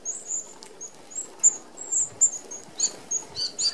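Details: An Australian flock of Red-browed finches feeds at a mesh open aviary feeder that keeps out sparrows and larger birds. Dense, high-pitched thin peeps come continuously, several per second, growing busier toward the end with overlapping calls.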